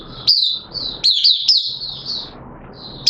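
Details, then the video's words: Hobby-kept oriental white-eye opening its song in wet weather, 6 September 2022: bright high twittering phrases broken by short pauses, with sharp rising chip notes at the starts, over a faint low hum. "Mata Puteh T Rex Buka Sing"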